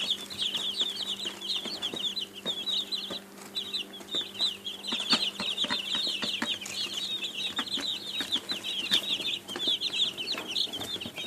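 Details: Continuous peeping of many young chicks, shrill short notes pouring out densely, with brief gaps, plus clicks and a steady low hum.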